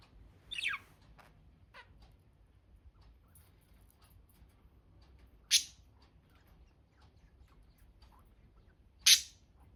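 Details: Budgerigar giving a few isolated calls: one sharp, downward-sweeping chirp, then two brief, loud, bright chirps several seconds apart, with near silence between them.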